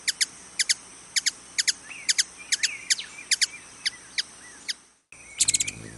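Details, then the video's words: Ruby-throated hummingbird in Wisconsin giving sharp, high, dry chip notes, often doubled and repeated about every half second, with thin squeaky twittering between. A short gap is followed by a quick cluster of chips. "Wisconsin Bird Sounds - Ruby-throated Hummingbird"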